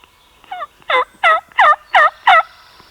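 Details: Wild turkey tom in Alabama, one of the farther birds, possibly dominant, gobbling nearly every breath for about five minutes; a rapid string of six loud rattling, warbled notes over roughly two seconds, each note descending then hooking back up.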